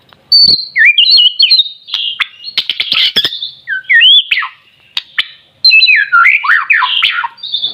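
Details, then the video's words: A captive white-rumped shama, not yet in adult plumage but singing strongly, delivers loud bursts of rich, varied whistles, harsh buzzy notes and fast looping slurs, phrases separated by short silences. "BURUNG MURAI BATU MASIH DOKOR TAPI UDAH GACOR"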